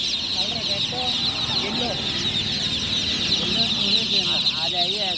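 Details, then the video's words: Freshly hatched chicken chicks at night keep up a dense, shrill peeping chorus while a person talks clearly over it in the foreground. "Tot Murgi Chicks Chirping Sounds - Just Born Baby Gallina FRACAS Chicks Piar Loudly Sound"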